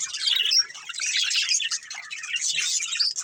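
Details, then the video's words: A family of budgies playing, giving a continuous bright warbling chatter of scratchy chirps and thin whistles, many birds calling at once, steady and lively throughout. "Cute Budgies Chirping Sounds"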